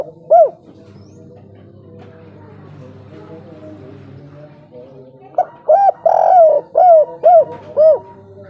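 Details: A spotted dove gives local wild three-note coos used as a lure: soft, rounded coos, one early note, then a quick run of about six over the last three seconds, above a steady low hum.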